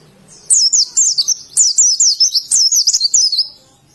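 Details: Oriental white-eye, called pleci in Indonesia, singing ngalas style: about three seconds of lively, very high warbled whistles, zigzagging slurs packed closely together, framed by quiet before and after.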